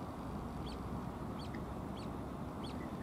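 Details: A small striped late great crested grebe chick, knocked off a parent's back, gives thin, high, plaintive peeps about every two-thirds of a second over a low rumble of wind or water; lake in Catherine Park, Pushkin, Russia, 8 August 2023.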